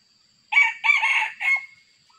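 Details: Sumatran red junglefowl, described as very fierce, crowing while being trapped with a decoy: a short three-part crow, a harsh opening note, a longer rasping middle section and a final note that trails off, with no other sounds.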